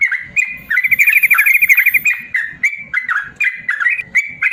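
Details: Yellow-vented bulbul giving long 'ropel panjang' song meant to coax lazy bulbuls into singing: a crisp rapid trill lasting over a second, then clear slurred whistles rising and falling.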